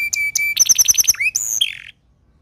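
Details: Short phrase of Timbrado canary song: two clipped flat whistles, a quick pulsed stutter of about eight notes, a rising slur and a buzzy descending tone, then silence.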